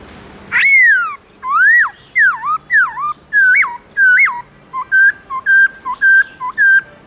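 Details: Black-throated laughingthrush singing in the morning in a forest-style voice. Loud, clear whistled phrases: first rising-then-falling swooping notes, then shorter, level whistles repeated about every half second, roughly a dozen notes in all, over quiet background hiss.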